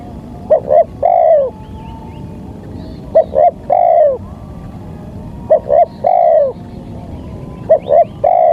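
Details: Luring call of a spotted dove used in trapping, loud double coo followed by an extended downslurred coo, repeated four times with gaps of roughly two seconds and constant faint hum.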